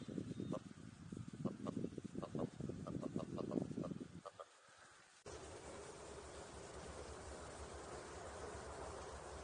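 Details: Willow ptarmigan giving a low, guttural rattle of rapidly repeated croaking notes for about four seconds over rumbling low noise, then a short gap and steady broadband hiss.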